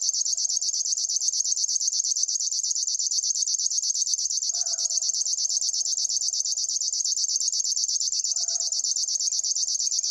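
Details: River warbler singing a steady, mechanical, insect-like reel of rapid buzzy pulses, about ten per second, high-pitched and unbroken, with faint low hums appearing twice in the background.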